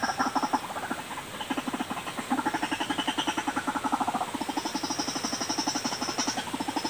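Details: White-breasted waterhen lure sound: a long, fast pulsed chatter of low throbbing notes, with a thin high whine running above it.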